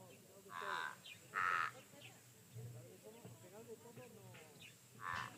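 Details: Pied crows calling at a waterhole, heard there almost daily at this time of day, recorded live: loud harsh caws, one near the start, a stronger one a second later and another at the end, with a man talking quietly between them.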